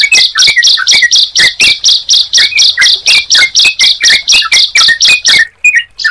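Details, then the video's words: Bar-winged prinia and yellow-vented bulbul heard together, evenly spaced buzzy high notes about three per second, each followed by a brief lower slurred whistle, fading near the end. "Suara Ciblek Dan Trucukan Jika Dipertemukan"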